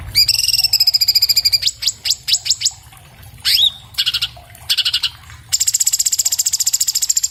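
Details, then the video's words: Orange-bellied leafbird (Cucak Cungkok) singing fast, recorded on an iPhone 7+ for training other birds: a sustained high buzzy trill, a run of sharp descending downslurs, a rising whistle, then dense rattling notes. "MASTERAN BURUNG CUCAK CUNGKOK SPEED RAPAT SUARA JERNIH"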